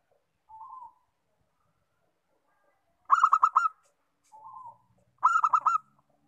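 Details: Local zebra dove singing: a soft short coo, then a rapid stuttering run of about six louder, ringing coos, with the phrase given twice.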